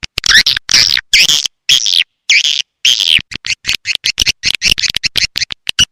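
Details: Lure call for attracting swiftlets, made of loud, clipped chirping bursts with buzzy rising notes. It breaks into a fast stuttering run of short twitters toward the end.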